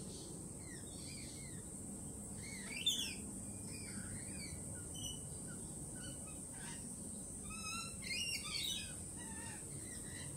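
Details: A flock of lorikeets, nervous after a peregrine falcon attack earlier that week, gives scattered short shrill chirps and squawks, clustering at times, with a steady high hiss and low ambient rumble.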